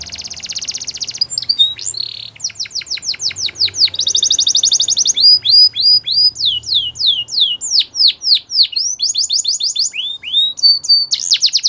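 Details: Canary delivering a long, varied song: an extended high trill, bursts of rapid falling notes, another rolling trill, then spaced downward-swept whistles and chattering phrases, all loud and high-pitched with a faint low hum beneath.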